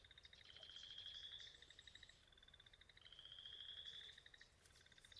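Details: Nelson's sparrow (Ammospiza nelsoni) gives two hissing, sizzling songs about two seconds apart, each a buzzy rising wheeze like bacon in a hot pan, short-carrying, with short ticks around them.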